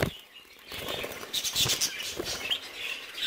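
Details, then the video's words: Young budgerigars three months old chattering in a dense mix of short chirps and squeaks, with bursts of wing flutter and cage rustling. "انتاج فراخ بادجي بعمر ثلاثة 3 شهور Baby Budgies Age"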